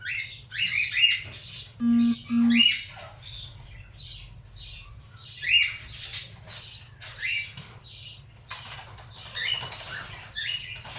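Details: A tame cockatiel, free-flying again after a long time, gives harsh, scratchy squawks and chirps in quick bursts, repeated throughout.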